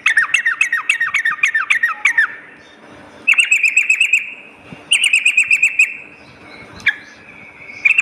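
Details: Sooty-headed bulbul at night: a run of quick down-slurred chirps, then two shorter buzzy rattling phrases separated by quiet gaps, with a single sharp note near the end.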